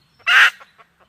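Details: Red junglefowl, with a decoy hen luring a wild hen. One loud, harsh, nasal note lasts about a quarter second and is followed by a few faint soft clucks.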